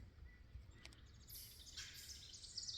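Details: A barred owl, one of two present, gives a breathy, hissing wheeze over a low background rumble.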